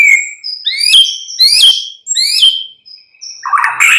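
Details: Loud, clear white-rumped shama phrases, a morning prompting song to spur an answering bird: bright rising and falling whistles repeated in quick sets, ending in a harsher jumbled burst.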